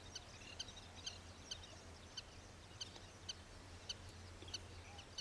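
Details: Oriental pratincole (Glareola maldivarum), a summer breeding visitor, recorded at Xinyuan, Taiwan, dated 11.06.03, giving short, sharp high notes about twice a second over a steady low rumble of wind or distant traffic.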